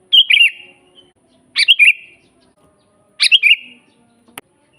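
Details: Sooty-headed bulbul song for training captive birds: three chirpy warbled phrases, each opening with a sharp high note then a fluid whistle, followed at the end by a faint click.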